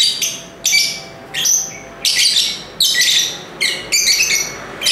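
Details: Noisy lovebird calling made of grating, shrill chirps in quick bursts, some with a thin whistled edge. They arrive unevenly, about once every second.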